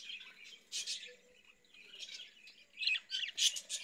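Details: Caged budgerigars chattering indoors: bursts of bright, scratchy chirps and squawks, irregular and overlapping, with louder clustered notes near the end.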